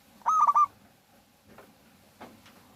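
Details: Local zebra dove, a strong singer, used as a lure to make other doves sing: one quick rolling burst of several short, bright, rapidly repeated coos, followed by faint quieter notes.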